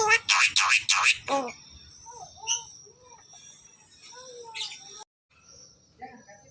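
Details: Javan myna, a clever talking bird suited as a model for teaching others, opens with a rapid run of loud harsh chattering notes, then gives soft, wavering whistled phrases and a brief buzzy burst against a steady background tone.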